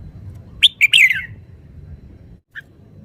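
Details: Red-whiskered bulbul giving a loud chirped phrase that slides downward into a warble, followed after a pause by one short soft note.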